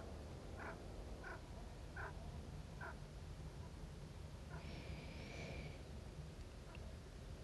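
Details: Chukar partridge at Ein Prat, recorded 19 February 2018, gives a faint series of short clucking chuck notes about every 0.7 seconds, then a brief higher thin phrase, over a steady low rumble.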